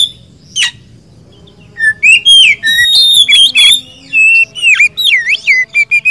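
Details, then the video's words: Oriental magpie-robin (kacer), poci or local type, in full Indonesian gacor song: a single note, then a dense stream of varied whistled notes and V-shaped slurs. "Kacer gacor ngobra poci vs lokal lebih bagus yang mana?"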